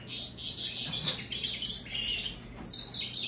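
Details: Goldfinch and greenfinch hybrid, American goldfinch by European greenfinch, singing a continuous high warbling twitter with buzzy trilled stretches and a brief pause before more chirps.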